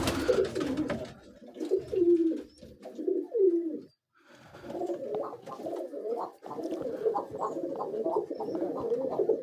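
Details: Mother pigeon feeding her chick inside a loft nest box; low, gravelly, pulsing calls run in uneven bursts, broken by a brief silence midway, then resume as a busy rapid chatter.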